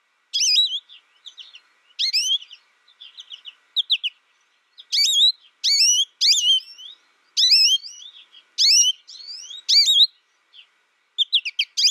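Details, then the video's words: Bright, jumbled American goldfinch song: repeated phrases of high, wavering whistled notes and twitters, each burst a second or so long, coming roughly every one to two seconds. "American Goldfinch Sound"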